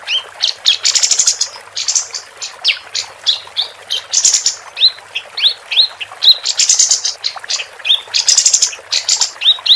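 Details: Energetic female capped white-eye, a tutor recording for contest birds: continuous high twittering, with bursts of rapid buzzy trills alternating with short rising whistled chirps throughout.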